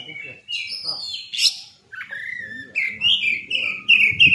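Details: Oriental magpie-robin song played as a lure to provoke other birds into responding. Clear whistled and warbled phrases slide up and down, growing louder and more continuous toward the end, over a faint low murmur of background voices.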